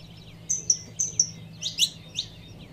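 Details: Two level, thin whistled notes followed by a burst of sharp high chirps, given by a female saffron finch calling to rouse the male, over a soft continuous hum.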